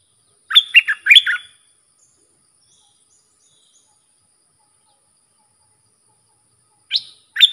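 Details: Sooty-headed bulbul song for teaching young bulbuls and luring fierce wild birds. A rapid phrase of several sharp warbled notes, a long pause, then the start of another phrase with two rising notes.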